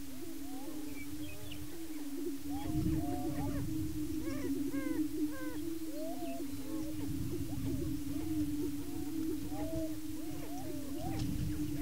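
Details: Greater Prairie Chicken males on a Kansas lek in Washington County, displaying and sparring over breeding territory: continuous low moaning drone with dense overlapping upslurred whoops and clucks, several birds calling at once.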